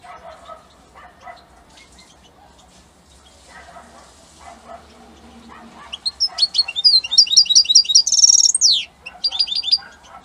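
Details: European goldfinch song from Italy: after several seconds of quieter, lower murmuring sounds, a loud burst of high twittering, a harsh buzzy trill and a falling slur.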